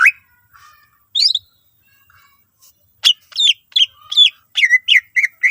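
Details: Greater green leafbird song full of varied phrases, a lure for other leafbirds: soft isolated whistles at first, then a quick stream of sharp up-slurred chirps and short whistles.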